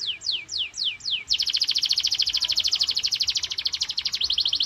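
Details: Loud canary song meant to stimulate pet canaries to sing, opening with five sweeping downslurred whistles before switching to a long, dense, rapid high trill of evenly repeated notes.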